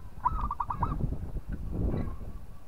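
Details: Local zebra dove, a gacor bird singing to provoke a rival: a quick run of five bright, bubbling notes near the start, then a low rumbling background with faint murmurs.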